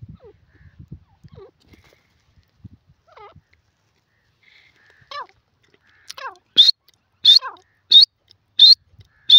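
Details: Yellow francolin gives five loud, harsh, high notes in a steady series, spaced just under a second apart, after a few soft, scattered chirps; call.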